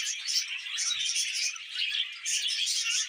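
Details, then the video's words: Several budgerigars warble while eating vegetables indoors, producing an unbroken wash of high squeaky chirps and chattering trills, loud throughout, with only a faint low tap near one second. "Happy Budgies Singing and Eating Veg"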